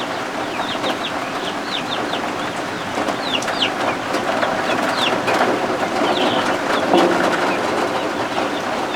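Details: Newly hatched guinea fowl keets warming under a heat lamp indoors give rapid, thin, high peeping chirps, several birds overlapping, about three to four per second, over a steady hiss of rain and thunderstorm ambience.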